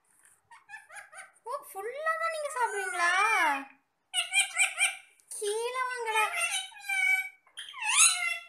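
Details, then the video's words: Parrots talking together while eating apple, producing long continuous streams of mimicked speech with wavering, rising and falling tones and rapid syllables, broken by one brief silence, recorded in a small room. "Talking parrots"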